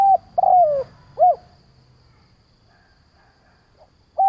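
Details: Spotted dove kept as a decoy, cooing to lure and provoke other doves. A brief note, a long sliding downward coo and a short final note, then a silent pause before the next phrase starts.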